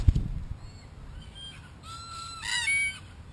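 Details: A group of wild Australian red-tailed black cockatoos exploring a spy camera give harsh, drawn-out wailing calls, rising into a louder, rasping cry near the end, after a few knocks and thumps at the start.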